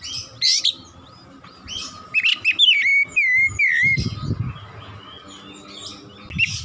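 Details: Oriental magpie-robin singing 'gacor nembak': scattered sharp chips, then a quick run of loud slurred whistles, followed by quieter pauses and a soft low rumble.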